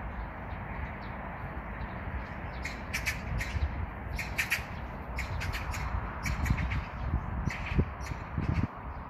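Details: A single magpie gives harsh, rasping chatter notes in short bursts through the middle of the recording, over a steady low rumble of wind or distant traffic.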